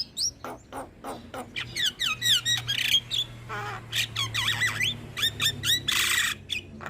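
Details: Javan myna (jalak kebo), a caged bird in full song, recorded as a master track to stimulate other birds: rapid varied phrases of sharp clicks, harsh rasping bursts and bright whistled upward and downward slurs, with a low steady hum beneath.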